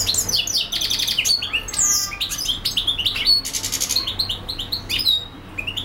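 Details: European goldfinch singing at length without pause, a fast, varied twittering of bright tinkling notes, buzzy trills and liquid chirps in a continuous high-pitched stream lasting the whole stretch.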